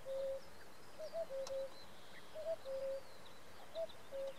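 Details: Common cuckoos, three males, call on a June evening in Samara Oblast, Russia, 2017. Clear, soft two-syllable calls come in overlapping pairs, with the rival birds answering one another over a quiet background hiss.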